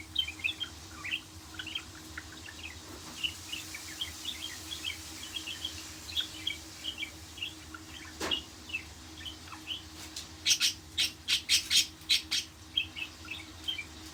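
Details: Budgerigar warbling: a long stream of soft, quick chirps and squeaks that builds into a cluster of loud, scratchy bursts, over a steady low hum.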